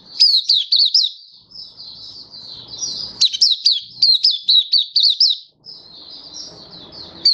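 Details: Malaysian white-eye, caged, Singapore, warm stable sunny weather, 20 March 2023; continuous high twittering with quick rising and falling notes, about two per second, ending in softer chatter and faint background noise.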